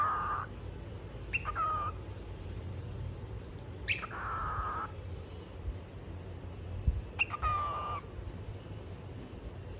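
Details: A pet cockatiel playing hide and seek gives harsh, rasping calls with a whistled edge, repeated every few seconds over low room noise.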